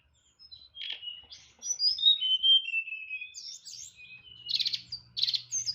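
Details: Tledekan, a caged white-rumped shama, singing loud nyeklek-style song with isian fill-ins: a buzzy burst, then smooth descending whistles, further high notes and two harsh buzzy bursts, over a faint low hum.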